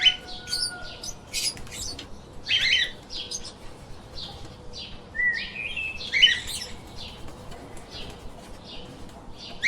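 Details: Pet lovebirds giving bursts of harsh, high chirps and squeaks in clusters separated by brief quieter gaps.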